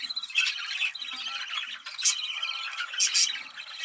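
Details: Breeding-stimulation sound of budgerigars: rapid twittering warble with nasal squawks and a few piercing high chirps, continuous chatter from more than one bird.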